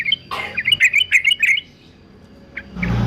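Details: Male yellow-vented bulbul of fighter type, kept for song training: a quick burst of bright, bubbling warbled notes lasting about a second, then a pause and a few scattered chirps, with faint background hum.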